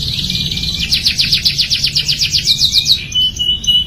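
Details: Young canary learning its song: a buzzy trill rising into a quick run of repeated sharp whistled notes, about four per second, then a held thin whistle; faint low background hum.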